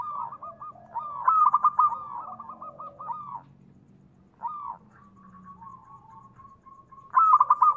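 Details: Local Indonesian zebra dove, a perkutut, used as a lure to draw other doves into calling: a loud run of rapid, throaty cooing notes, a pause, a longer level hum, then another burst of coos.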